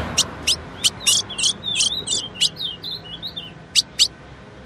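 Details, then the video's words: A female ultramarine grosbeak sings: spaced high chip notes lead into a short, twisting whistled warble, then more isolated chips over a soft hiss. The song is meant to get male grosbeaks singing. "CANTO DO AZULÃO FÊMEA - PARA DEIXAR QUALQUER AZULÃO MACHO CANTANDO MUITO"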